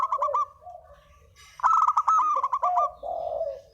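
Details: Spotted dove lure call, a short stuttered coo phrase, a quiet moment, then a louder, stronger run of rapid coos sliding into lower, drawn-out cooing notes.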